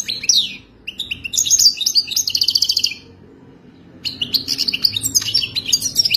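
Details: Wild European goldfinch song for mating, played to coach a captive goldfinch: two quick bursts of high, jangling twitters and trills separated by a one-second silence, resuming with bright chattering phrases.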